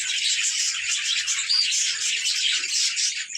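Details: Budgerigars at play, a group giving dense, continuous high-pitched chattering and warbling with overlapping chirps throughout, no pauses and no other clear sounds.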